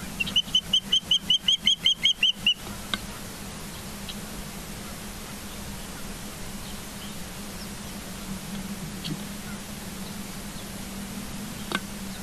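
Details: Ospreys at a nest in Charlo, Montana, on a live nest camera, 22 September 2023 at 10:30: a quick run of about fourteen sharp, even, whistled chirps over roughly two and a half seconds, then only steady background rumble and hiss.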